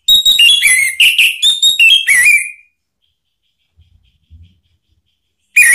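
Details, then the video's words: Orange-headed thrush song used to provoke other birds: a dense rush of varied whistles and sharp chirps for over two seconds, silence, then a new loud phrase starting at the end. "isian TAJAM !!! bikin ANIS MERAH EMOSI NYAUT NGEPLONG ¦ PANCINGAN AM"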